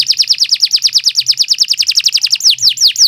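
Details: Canary in 'gacor' singing style: a very rapid run of high, descending whistled notes, about ten a second, slowing near the end.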